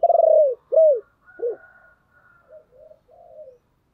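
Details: Spotted dove cooing to draw in other doves: a long, throbbing, falling coo and a strong arched note, followed by fainter, more distant coos trailing off in reply.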